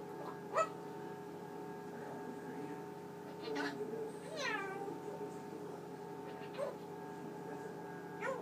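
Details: Pet Eclectus parrot, a male, indoors at night before being covered, running through its vocabulary; scattered short mimicked sounds including a rising, meow-like harmonic call midway, over a steady refrigerator hum.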